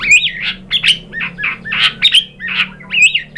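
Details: White-rumped shama lure song to provoke singing: a series of loud harsh, buzzy squawked notes mixed with upslurred whistles, repeated about three times a second.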